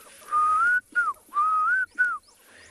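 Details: Klaas's cuckoo calls on a warm October morning in Tswalu Kalahari Reserve, South Africa: a clear, plaintive two-part whistle, a long slightly rising note then a short falling one, repeated twice.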